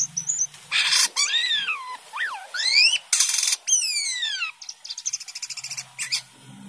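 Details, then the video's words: A Common Iora in full, active song gives a lively run of loud, clear whistles that swoop up and down, mixed with harsh buzzy bursts and fast chattering notes; faint low voices sound underneath. "Burung Sripapon Gacor"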